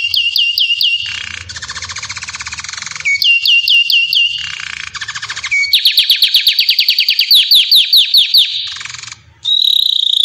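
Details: Belgian canary singing in a run of fast repeated trills: bright rising-falling notes near the top, buzzy rattling rolls in the middle, then a long quick pulsed trill and a final whistled note, with faint low background hum.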